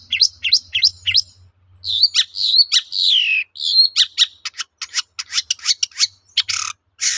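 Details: Long-tailed shrike in full lively song, used to lure other shrikes into answering; repeated hooked chirps, a long descending whistled slur, then rapid sharp ticking notes and harsh bursts.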